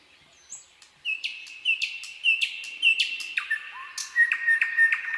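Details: Common nightingale in a night forest singing a series of bright, repeated chopped notes that grow louder, followed by a lower slurred note and a fast run of sharp strokes.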